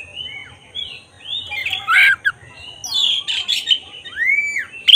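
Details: Black-breasted oriental magpie-robin singing as a lure to provoke emotion and tail opening; gliding whistles mixed with harsh scratchy notes and a clear arched slur, over a faint low hum.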